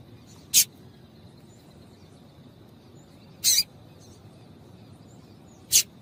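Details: Call of a female double-collared seedeater (papa-capim), played to get males singing: three brief, sharp, high-pitched chips spaced roughly two and a half seconds apart, with faint steady hiss between them.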